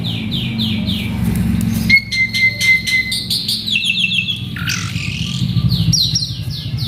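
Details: Excited male Asian pied starling singing a varied mimicry-filled song: rising whistled notes repeated quickly, one long steady whistle, then clattering chirps and harsh squeaks, over a low rumbling background.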